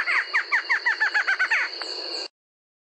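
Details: Brazilian Barred Antshrike, locally called se-eu-sou-seu-coroné for its onomatopoeic song, giving a rapid run of repeated hollow notes that speed up and close together before stopping. Insects buzz steadily behind.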